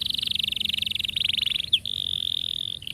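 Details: Canary roll from a long rolling song played to young canaries as a singing example: an unbroken, very fast pulsed trill held for nearly three seconds, broken once by a short sharp upslurred note.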